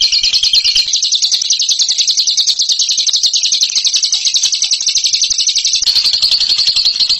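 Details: Ngekek song from a bird praised as a champion: a piercing, unbroken high chatter of rapid pulsed notes that runs through the whole seven seconds, briefly shifting pitch near the end.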